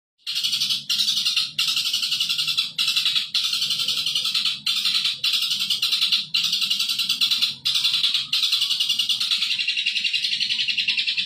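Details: Long-tailed shrike song used as training material for captive birds: a dense run of buzzy, scratchy high notes repeated rapidly in bursts, with short breaks every second or so and a faint low hum underneath.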